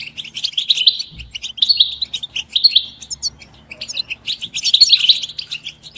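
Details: Several European goldfinches give mating and readiness calls used as stimulation for caged singers; chattering twitter with buzzy descending runs, quieter stretch mid-clip, then a loud tumbling burst, low hum and a thump.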